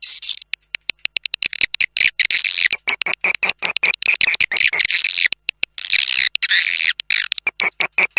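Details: Swiftlet calls used as a lure to attract swiftlets to nest houses, a very clean recording: dense, high twittering chirps that run on in busy bursts, cut by repeated abrupt gaps of silence.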